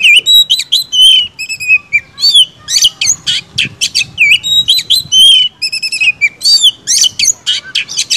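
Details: White-rumped shama, kept as a kacer songbird, pouring out rapid high whistles, slurred rising and falling notes and harsh buzzy bursts in quick succession with barely a pause.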